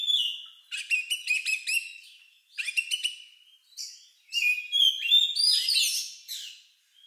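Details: Oriental magpie-robin (kacer) singing an unusual song likened to a lovebird's, used as a lure to provoke other birds to sing: bursts of sharp high chirps and twisting whistles, separated by short pauses.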